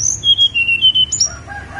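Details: Snowy-browed flycatcher song from Mount Songgo Langit: a high opening whistle drops into a run of four clear, level whistled notes, then a high upslurred note and a few softer, lower notes.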